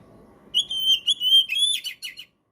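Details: Oriental magpie-robin (kacer) in prolific song, used as training and trigger material for birds that have stopped singing. Sustained clear high whistles, then a quick rising note and chattery trailing notes, over faint low background noise.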